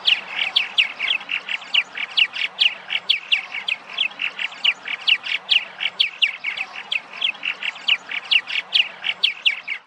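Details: Purple martins arrive in spring at Massachusetts nesting sites, often birdhouses. Several birds call together in a steady, overlapping chatter of rich, throaty chirps, more than two a second.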